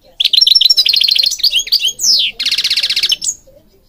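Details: European goldfinch singing, used for training birds: fast twittering runs of bright chirps, a rising sweep near the middle, then a long buzzy rattling trill before fading out.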